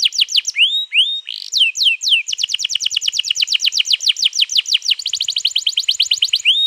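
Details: Canary singing a long rolling song used to get another canary to sing, recorded 21 April 2022: a few swooping whistles, then a long run of fast, evenly repeated falling notes.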